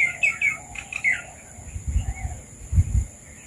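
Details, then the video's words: Red-vented bulbuls visiting papaya give a quick string of warbling chirps in the first second, fading to occasional soft notes, with low thumping knocks near the end. "Red Vented Bulbuls have come to eat Papaya • Birds Sounds"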